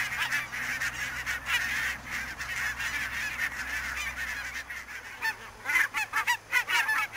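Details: In fog at Niittylahti, Savonlinna, Finland, on 2 October 2011, a barnacle goose flock keeps up a busy chatter of yapping honks, then several loud, clear single barks from nearer birds in the final two seconds.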